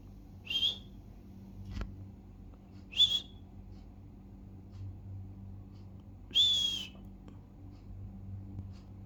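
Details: Pet budgie gives three short, high whistled chirps spaced irregularly over several seconds, with faint clicks and a low room hum in the gaps.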